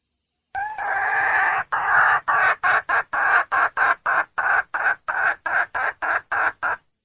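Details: Female wild junglefowl calling for a male, starting with a long raspy note and breaking into a rapid run of about fifteen short, harsh clucking notes, roughly three per second.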